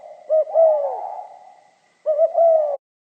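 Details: Spotted dove with the pha kim voice, two crisp cooing phrases, each a pair of short hooked notes then a drawn-out sliding coo, with silence between.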